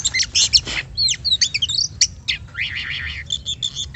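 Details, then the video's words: Lure song of an Oriental magpie-robin, meant to provoke other birds to sing: bright, scratchy high chirps and twisting whistled phrases, ending in a rapid buzzy run of rising notes. "PANCINGAN BUNYI BURUNG KACER"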